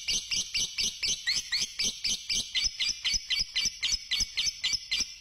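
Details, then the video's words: Fighter lovebird in its long trilling song, meant to stimulate other lovebirds: crisp, evenly spaced high chirps repeated almost four times a second in a steady, tinkling rhythm. "Suara Pancingan Burung Lovebird Fighter Ngekek Panjang"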